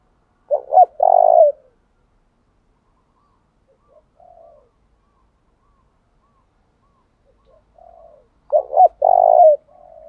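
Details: Decoy spotted dove cooing to draw wild doves into calling back, switching song patterns. Two full phrases of short rolling notes and a drawn-out coo at either end, with soft distant coos in the quiet middle.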